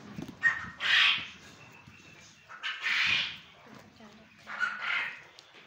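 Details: Male quail on a Punjab, Pakistan quail farm, giving three fairly soft, raspy call bursts spaced about two seconds apart, over faint background noise.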